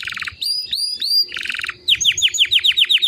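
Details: White canary giving a short burst of buzzy notes and rising whistles, then a series of sharp, quickly repeated downslurred chirps, over a slight low background hum.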